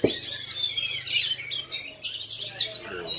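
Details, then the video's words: Oriental magpie-robin, black form with bowing display style, caged at a routine practice bird-singing contest in Lhokseumawe on 9 January 2022; dense, high, varied whistles and chattering phrases overlap with other contest birds, with a low hum beneath. "KACER KALA HITAM GAYA SUJUD"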